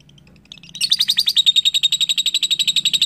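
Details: Young lovebird giving a long ngekek chatter: after a near-silent start, a fast, steady run of sharp, high chirps begins and keeps going without a break to the end.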